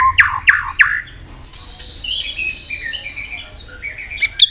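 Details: White-rumped shama in competitive singing: three sharp descending whip notes, then a quieter stretch of varied warbled phrases and a closing high note.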